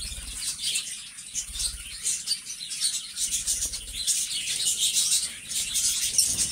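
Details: A pair of pet lovebirds, described as best friends, chatter in continuous, dense, high-pitched chirping and twittering with rapid overlapping notes and no pauses.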